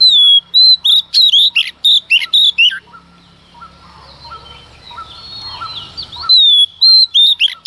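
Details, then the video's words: Female Oriental magpie-robin singing hard at dawn to excite males. A fast string of loud, piercing whistles and twitters, then a pause filled with soft distant chirps and hiss, then strong whistled notes again. "Choè than mái hót kích trống hót căng sáng sớm"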